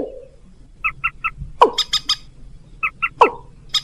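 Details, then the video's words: A rail lure call used to attract rails and junglefowl: groups of three short nasal notes, sharp squeaks dropping steeply in pitch, and clicking bursts repeated over a few seconds. "suara pikat burung mandar dan ayam ayaman"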